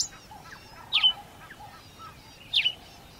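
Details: Two emphatic, falling chirps, about one and a half seconds apart, from a sparrow in Africa, over a noisy backdrop of faint distant bird notes.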